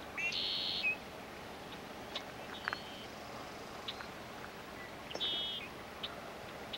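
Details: A Killdeer performing its broken-wing distraction display on Iona Island, Richmond, British Columbia, Canada, 17 June 1995, gives two shrill, high, drawn-out cries a few seconds apart, with short thin notes between, over steady background hiss.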